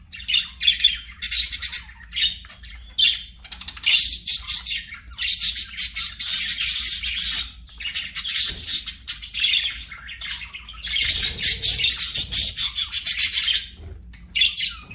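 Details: Budgerigars singing as they play, giving long stretches of harsh, buzzy warbling and chatter in bursts of one to three seconds with short pauses, steady and busy throughout.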